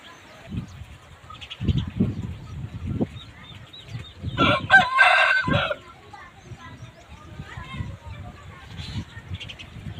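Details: Aseel rooster giving a single harsh, strained crow of just over a second in mid-recording, with low knocking thumps and bursts of noise before and after it.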